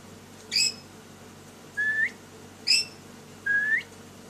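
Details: Lory bird at play indoors: a high sharp chirp answered by a drawn-out rising whistle, the pair repeated twice in alternation.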